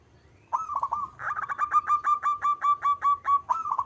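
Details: Zebra dove of local stock singing a fast series of about fifteen clipped, pulsing coos, evenly repeated after an opening stuttered phrase, bright and loud.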